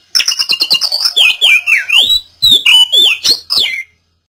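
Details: Oriental magpie-robin sings, a song meant to coax a silent bird into singing again. A rapid string of sharp ticking notes leads into bright, slurred, rising and falling whistles, ending after about four seconds.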